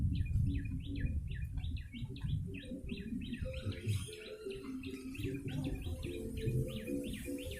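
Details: Yellow-bellied prinia chattering to lure birds, a long dense string of quick, zigzag chirps, several per second, with droning low tones and background rumble.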